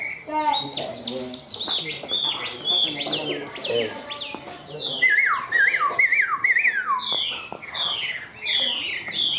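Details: Chinese hwamei in a cage singing a dense medley of high whistled notes, quick slurs and warbled trills, with a stretch of repeated downward-swooping phrases midway; a man's voice is faintly audible beneath.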